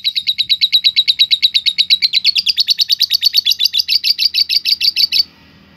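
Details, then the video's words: Lovebird ngekek, a lure to stir other lovebirds' emotions so they sing and fight. One long unbroken chattering trill of high, sharp, evenly spaced notes, roughly six per second, running about five seconds before stopping abruptly. "burung lovebird ngetik lanjut ngekek.SUARA nya bikin LB mu NGEKEK dan fighter"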